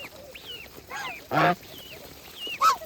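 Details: Geese on a farm while eating: one loud short harsh honk stands out among fainter bird calls and thin rising whistles.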